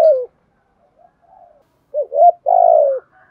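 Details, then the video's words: Decoy spotted dove in the 'thổ đồng' style used to lure wild doves; a falling coo ends one phrase, faint coos follow, then a new phrase of two short coos and a long buzzy descending note. "tiếng Cu gáy mồi giọng thổ đồng hạp bổi kích mồi luyện bổi"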